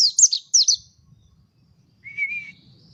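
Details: Mountain white-eye song: four rapid high twittering notes that swoop downward, a pause, then a lower wavering trill-like note, with soft low background noise.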